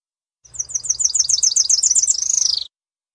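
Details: Tropical parula song: a fast, high-pitched trill of short slurred notes, about a second and a half of rising intensity, ending in a brief buzzy note that sweeps up and then drops. No other sounds.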